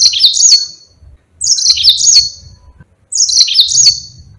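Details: Lively long-rolling song of a Yellow-fronted canary, used as a master recording to teach other birds: three high, shimmering trilled phrases, each around one second, repeated roughly every second and a half in a quiet setting.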